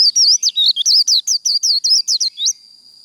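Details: Japanese white-eye singing the 'líu đấu' fighting song: a dense three-second run of about a dozen high, swooping, wavering notes delivered rapidly, then fading to a thin steady tone.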